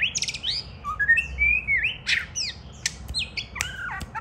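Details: Pet White-rumped shama pecking at a child's hand while singing: rapid varied phrases of looping whistles, buzzy notes and high sharp clicks, with downward-sliding slurs and short rapid trills, loud and close.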